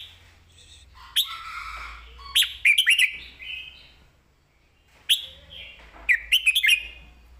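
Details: Singing red-whiskered bulbul delivering clear, well-phrased master song ('phleng mae bot'): two loud, rollicking phrases of sharp, bouncing whistled notes about four seconds apart, each led by softer slurred warbles.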